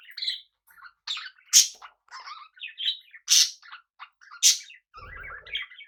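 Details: Pet budgerigars kept together with cockatiels, chattering in a busy run of short chirps, twittering warbles and harsh buzzy bursts, with a brief low rumble near the end.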